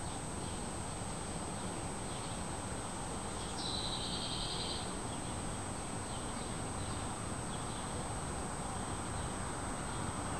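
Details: Wrens building a nest in a wren house: one rapid, buzzy, high trill lasting just over a second rings out midway, with a few faint high chirps scattered before and after over a steady background hiss.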